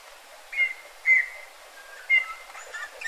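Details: Eurasian bullfinch near a yard in Joroinen, Finland: three clear, steady piping whistles, each slightly rising at the start and held briefly, about half a second to a second apart, followed by softer chirps.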